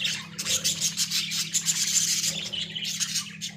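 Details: Pet Australian budgerigars in a small cage keep up a steady stream of harsh, high, rapid chattering and chirps over a constant low hum.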